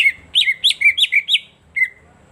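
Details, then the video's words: Greater green leafbird (cucak ijo) singing as a lure to make silent birds sing. Five quick bright whistled notes in a row, a short pause, then one more clear slurred whistle. "pancingan suara cak ijo"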